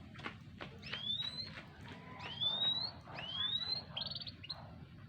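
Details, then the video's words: Canary aged four to five months singing, recorded 28 July 2020: clear rising whistled slurs repeated about once a second, mixed with short sharp chips, over a steady low background hum. "performa kicau kenari 4-5bln"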